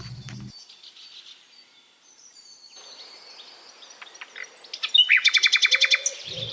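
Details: Common nightingale (Luscinia megarhynchos) song: thin whistles and short trills, then a loud run of about ten sharp repeated notes at four per second. A brief voice sounds at the start and end.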